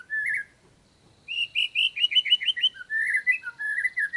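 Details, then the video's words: Murai lure song meant to make another bird answer: loud, varied whistled phrases, a slurred opening note, a pause, then quick rolling warbled notes and a series of clear swooping whistles. "PANCINGAN MURAI NYAUT LANGSUNG"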